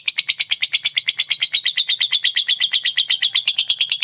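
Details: Lovebird in its ngekek song, played to provoke other lovebirds: a long unbroken run of rapid harsh chattering notes, about three per second, fast and steady, loud and clear with no other sounds.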